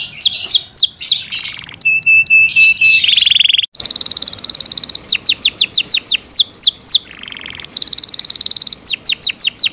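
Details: Caged Yorkshire canary delivering varied song: swooping notes, a thin steady whistle, buzzy bursts, then long fast trills alternating with series of falling chirps.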